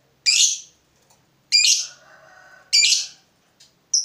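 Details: Fighter lovebird, agitated by provocation, gives three separate harsh, screechy high calls about one and a half seconds apart, with a faint lower hum between them.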